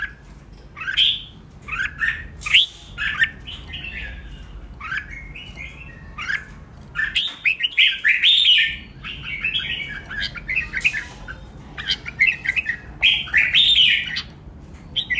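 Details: Extended competitive singing by a red-whiskered bulbul during training: a long series of varied chirped and warbled phrases, some sharp and clipped, others rich and slurred, with few pauses.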